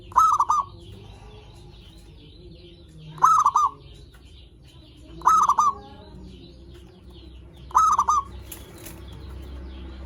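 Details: Zebra dove song for luring and stirring other zebra doves to call: four brief stuttering coo phrases spaced two to three seconds apart, with a soft steady background hum.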